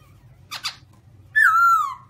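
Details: A single long, loud descending whistle from a white-cheeked black-throated laughingthrush, preceded by two brief rough noises.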